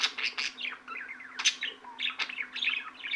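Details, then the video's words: Continuous budgerigar chatter with scratchy twitters, brief whistled notes and several loud clicking chirps spaced irregularly, forming a restless, overlapping babble above a low background hum. "MUHABBET KUŞU SESİ"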